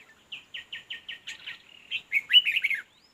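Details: Red-whiskered bulbul at a fighting-decoy trap: a run of about eight evenly spaced short whistled notes, then a brief pause and a louder, rapid warbling flourish of slurred whistles.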